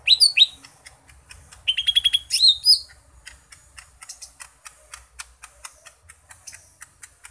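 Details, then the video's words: Cucak ijo mini (green leafbird) gives a short burst of loud slurred whistles and quick repeated chirps over about three seconds, then falls quiet while steady faint ticking clicks continue. "Burung Cucak Ijo Mini isian seabrek"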